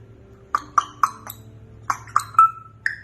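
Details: African grey parrot in a talking session indoors gives a rapid series of short, clicky, ringing notes in two bursts of four, then a longer level whistle and a final rising note.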